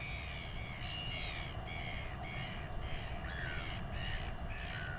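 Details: Royal albatross chick in New Zealand, being fed by its father and weighed, gives harsh, raspy, crow-like begging calls in short repeated bursts, over steady low wind roar.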